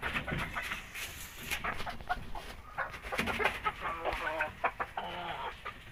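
A rooster gives hoarse, harmonic calls in short bursts, with a drawn-out crowing phrase near the end over steady background noise.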